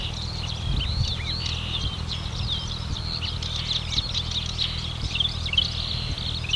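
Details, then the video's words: Marsh warbler (Acrocephalus palustris) singing at Lippetal, 3 June 2021, 10:40 am, a fast, continuous run of varied chirps, trills and slurred whistles, with a steady low rumble of wind or traffic underneath. "Marsh Warblers (Acrocephalus palustris) / Sumpfrohrsänger"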